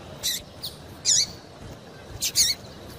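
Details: Three or four high, sharp chirps from a female double-collared seedeater, each with a short downward slur, given to excite the male into song.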